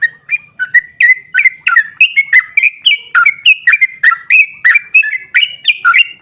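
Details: Vigorous long-ropel song of a sooty-headed bulbul, played to provoke other bulbuls into singing: an unbroken stream of quick, liquid, up-and-down whistled notes, roughly three per second, with no pause.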